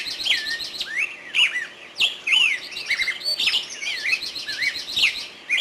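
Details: Birdsong in a forest, busy and overlapping: sharp high clicks, swooping whistled notes and buzzy trills from several birds at once.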